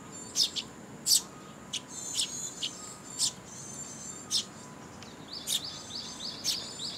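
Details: At a Tenmangu shrine on 2 July 2022, young sparrows come to their parents for food; scattered high chirps of varying loudness, ending in a quick run of soft, rapid twitters.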